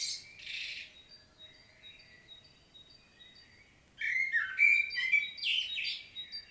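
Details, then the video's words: Common blackbird from a field recording in Świnoujście, Poland, 25 September 2022: the soft tail of a twittering phrase, a lull with faint thin whistles, then a fresh loud warble with squeaky high notes. "Blackbird's solo"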